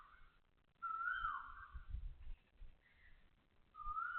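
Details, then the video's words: Loud Asian koel in Toa Payoh Lorong 8, Singapore, at 6:30 am on 20 October 2025, giving one clear whistled note that rises then falls away, with the start of another at the end, over soft low rumble. "Loud koel noises"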